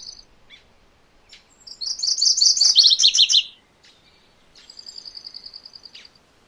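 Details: Song of MacGillivray's warbler: a fast, rolling series of high notes drops into a lower, choppy run. A steady, thin trill of evenly spaced notes follows a second later.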